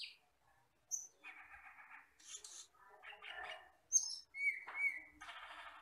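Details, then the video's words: Wild forest Asian glossy starling on a tutor recording: sparse phrases mixing bright upslurred whistles, dry buzzy chatters and a pair of clear ringing notes, separated by short silences. "MASTERAN BURUNG HUTAN CAMPERLING (CUCAK KELING)"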